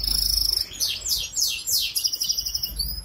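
A goldfinch hybrid sings a high, fast twittering song: a rapid buzzy trill, then several bright downward-sweeping notes about three per second, over faint background hiss.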